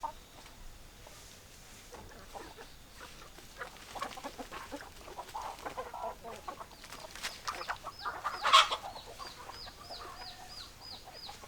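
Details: Hens clucking in a flock, with soft, irregular clucks and chatter that build toward a louder burst near the end. Thin, high, downward-sliding chirps repeat steadily through the second half.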